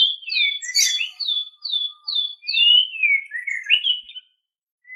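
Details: White-rumped shama song recording used as masteran training material for captive songbirds: a rich run of clear whistled notes, repeated downslurred phrases then a descending warbled sequence with high sharp accents, ending in a brief pause and faint note.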